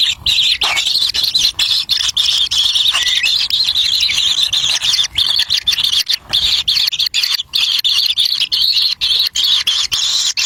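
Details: Wild kingfisher chicks squabbling over food as their parent feeds them a black lizard at the nest: a long, harsh, hissing high-pitched chorus of squeals, interrupted by many brief dropouts.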